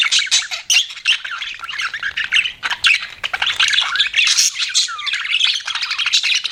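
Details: Pet budgerigars chirping together: a dense, continuous chatter of scratchy warbles, squawks and quick high chirps, with hardly a pause throughout.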